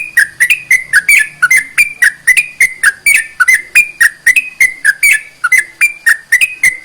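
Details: Sooty-headed bulbul song, played to stir lazy, quiet bulbuls into singing: a rapid run of short whistled notes, about four each second, pitches stepping up and down in a bubbly, chattering pattern with crisp edges.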